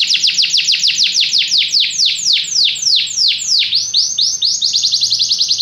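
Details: Canary song made of rapid, loud, repeated down-slurred whistles that slow slightly, followed by a quicker rolling trill.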